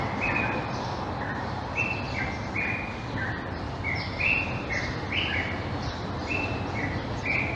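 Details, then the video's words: Egyptian or Common Bulbul singing: short whistled phrases repeated every second or so, with notes rising and falling, over a steady loud rumble of low background noise. "تغريد البلبل المصري. أعذب البلابل صوتاً Egyptian/Common Bulbul Twitter"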